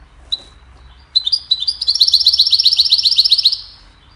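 A goldfinch gives a bright, high twittering song: a quick run of liquid chirps, about four per second, after a couple of short opening notes.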